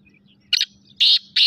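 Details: Black francolin, known locally as kala teetar, giving a short harsh note followed by two loud grating buzzy bursts about a third of a second apart, over a steady low electrical hum.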